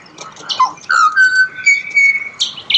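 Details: Australian pied butcherbird song. After a few rough squawky notes it gives a long, smooth whistle that rises and then holds steady, ending with short harsh chips.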